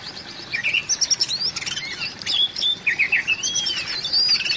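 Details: An Oriental magpie-robin call, used to prompt silent magpie-robins to sing: a rapid run of varied, high whistles and chattering notes, with sweeping slurred phrases and quick trills.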